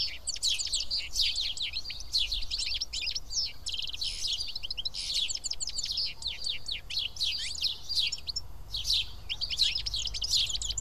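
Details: Feeding together at Karyotissa, Greece, a flock of house sparrows keeps up a continuous chorus of rapid, overlapping chirps and chattering notes, rising and falling in intensity.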